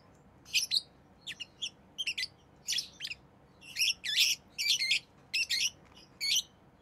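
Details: Rosy-faced lovebird, a pet bird, chirping steadily with short shrill squeaky notes, some doubled, at more than one per second, over a faint constant background hiss.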